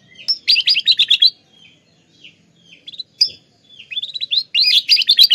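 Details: Canary in Klaten, Indonesia, trained to fill its song with lovebird-like phrases, used as tutor audio: bursts of scratchy, twittering chatter separated by quiet pauses with a few isolated chirps.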